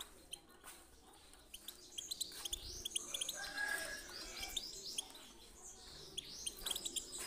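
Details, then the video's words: European goldfinch singing, meant to excite birds into song: fast liquid twitters, sharp repeated chirps and brief rising whistles packed closely in a steady, busy stream of high notes. "پیت پیتک/صدای سایره چی چیو برای مستی"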